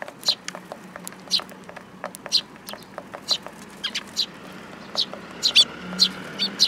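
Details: Sparrows gathering to be fed at a Tenmangu shrine on 8 July 2022, with many short sharp chirps overlapping from several birds, about one burst a second, and a faint low hum beneath.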